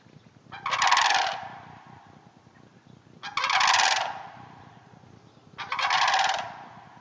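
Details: Three loud, rolling, rattling calls from sandhill cranes in a hayfield north of the Twin Cities, each lasting under a second and spaced about two and a half seconds apart.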